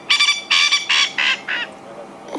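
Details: At sunset on a drive at Djuma and Arathusa in Africa, a male francolin gives his evening chorus, a territorial run of harsh, grating cackles dropping slightly in pitch, telling other males this is his place.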